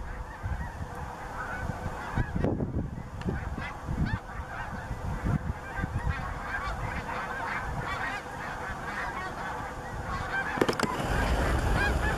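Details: Snow geese, a large flock at Bombay Hook National Wildlife Refuge on 12 March 2017, giving a dense, continuous chorus of nasal, yelping honks that overlap constantly, with a steady low rumble underneath.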